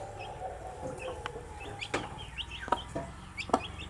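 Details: Newly hatched baby chicks go about their day, giving many short high peeping chirps, some rising and some falling, scattered in a busy chorus, with occasional soft knocks and taps.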